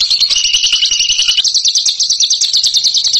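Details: Bird singing ngekek: a harsh, rattling high trill that changes to a crisper run of quick rising chirps about halfway through, with no breaks throughout.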